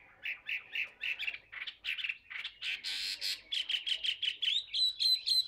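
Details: Caged Chinese hwamei, a tamed bird, singing: a fast series of harsh, buzzy chirped notes repeated several times a second, shifting into sharper whistled phrases near the end.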